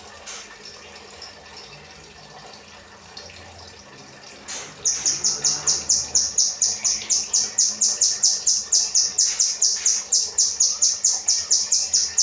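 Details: Kinoi song serving as 'rambatan' training material for cage birds: several quiet seconds with faint rustling, then a sudden, long, very regular sequence of high, piercing chirps at around four per second.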